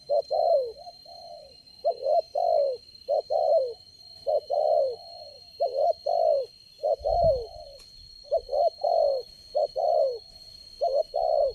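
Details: Spotted dove, the single wild bird calling and strongly responsive at a lure-trapping location, delivers evenly spaced clusters of mellow, falling coos throughout, with one brief low thud near the middle.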